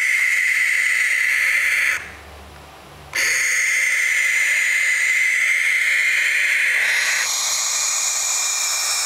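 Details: Baby barn owls make a drawn-out, rasping hiss-screech. It stops for about a second of near-silence, then resumes just as harsh and continuous, shifting slightly in tone near the end.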